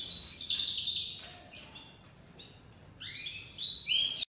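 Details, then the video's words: Young white crested domestic canary, a dominant white, beginning to sing: sweeping high whistled phrases and bright trills, a fast burst opening, a quieter pause, then rising slurred notes and rapid warbles returning strongly near the end. "Canário doméstico branco de topete começando a cantar"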